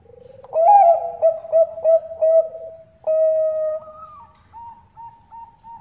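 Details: Lure call of a Bangkok zebra dove, a female calling a male: soft trilled lead-in, then a bright rolling coo of staccato bursts and a sustained note, followed by a rising tone and quiet evenly spaced hoots.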